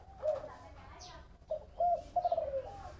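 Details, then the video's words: Mellow 'thổ bầu' cooing of a spotted dove: a single coo, a gap, then a clear held note and a pulsed, falling phrase; light chirping of other birds in the background. "Tiếng chim cu gáy giọng thổ bầu nghe vui lổ tai"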